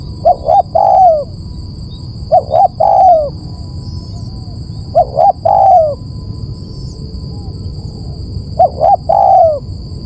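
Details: Spotted dove recorded as a lure call, giving four phrases in ten seconds, each two short soft coos followed by a longer drawn-out falling coo, over a constant thin high-pitched whine.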